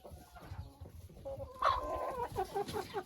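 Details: A rooster in a chicken coop in winter gives its nest call, inviting the hens into the nest: a quick run of low, throaty clucks, two or three a second, after a quiet start with a faint background rumble.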